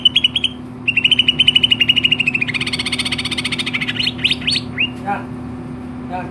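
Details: Greater green leafbird in full song, giving a long fast trill of evenly repeated notes, then dense buzzy chatter and a run of quick rising sweeps that fade out, over a steady background hum.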